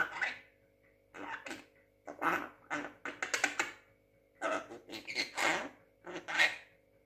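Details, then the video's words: Young Javan myna, six months old, imitating human speech; harsh, throaty, speech-like bursts in short irregular phrases separated by brief pauses, some syllables rising into raspy higher noise. "burung jalak kebo muda pinter ngomong usia 6 bulan"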